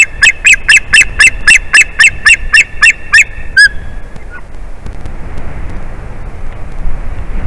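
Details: White-tailed eagle, adult male, yelping from the nest while the female returns: a quick string of sharp high calls for over three seconds, a final drawn note, then near silence.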